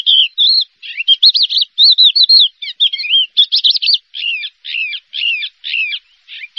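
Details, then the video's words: Horsfield's bush lark, a champion contest bird, sings wavering whistles and quick chirp clusters, ending in a series of evenly spaced buzzy double notes about every half second; background silent. "SUARA BURUNG BRANJANGAN JUARA 1"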